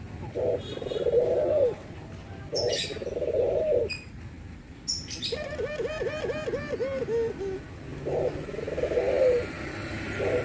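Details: White and brown Barbary doves in anggungan cooing, low purring coo phrases repeated every couple of seconds, interrupted midway by a rapid series of looping higher chirps from another bird, then cooing resumes.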